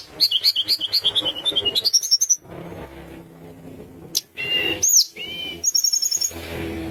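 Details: Sunda minivet, described as singing eagerly. It opens with a rapid string of high, sweet whistled notes stepping downward, then gives a rising upswept note and a short burst of high chips. Muffled low noise fills the pauses.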